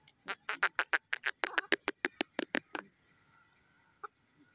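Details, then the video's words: Black francolin giving a loud, harsh, rattling call: a rapid series of about fifteen grating, clipped notes in under three seconds, then quiet with one faint distant note. "teeter ke awaz,dakhni teetar ki zor dar boli"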